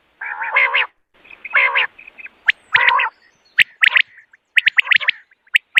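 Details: Common quail calling in the morning, recorded for hunting use: nasal, harmonic buzzy bursts under a second long, then sharp clipped notes in quick groups of two or three, roughly one call per second.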